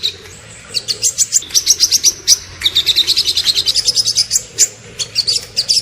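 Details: Rapid string of sharp, high, clipped notes, about five a second, from a small bird on a tembakan masteran recording, with one brief pause midway.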